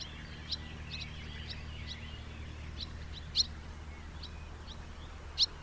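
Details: House martin chirping steadily in short, bright notes, with two louder, sharper twitters standing out above softer ones and a low background hum.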